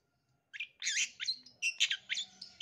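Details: Long-tailed shrike singing a varied mimicking song used as a lure for young wild-caught birds; a jumble of scratchy chirps and whistled fragments, fairly soft, in a dense run after half a second of silence.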